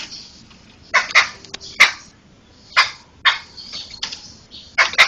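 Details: Laughingthrush song for training songbirds: well-spaced loud, hoarse notes with thin whistled fragments between them, about seven main bursts in five seconds.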